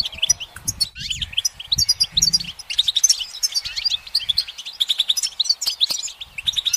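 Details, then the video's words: Perched goldfinch pours out rapid twittering song, a jumble of high chips, buzzy trills and bouncing slurred notes running almost without a break, over faint low knocking. "The goldfinch's motivational song"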